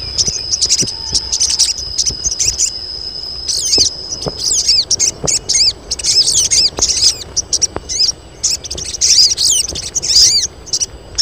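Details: Colony of female crested jays in breeding mood calling to attract males; dense chattering bursts of high, bouncing chirps, several birds overlapping, separated by short gaps, with a continuous shrill background tone and scattered knocks.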